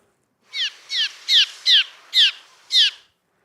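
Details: Cliff Swallows from a colony nesting under a bridge in summer circle an approaching person giving alarm calls meaning danger: six short, sharp, down-slurred notes, about two each second, high-pitched and evenly spaced.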